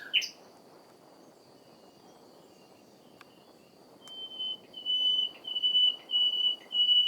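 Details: Common nightingale song in spring. A brief sharp note opens, followed after a pause by a run of loud, long, level whistled notes on one high pitch, repeated about once a second against a faint constant hiss.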